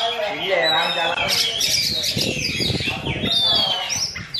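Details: Oriental magpie-robin mimicking a Javan myna: gravelly, nasal notes and raspy churring, with a clear falling whistle late in the sequence and an abrupt squeaky note to finish.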